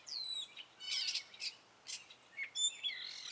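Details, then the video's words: Short excerpt of a male Gray Catbird's spring song: a few high squeaky whistles, a raspy burst and scratchy chips in quick succession, with brief pauses between phrases. "Gray Catbird singing his spring song!"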